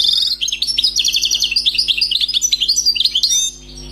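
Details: Newly trapped wild European goldfinch singing flawlessly: an unbroken stream of rapid, ringing, high twitters and slurred chirps for over three seconds, ending abruptly to leave only a low hum.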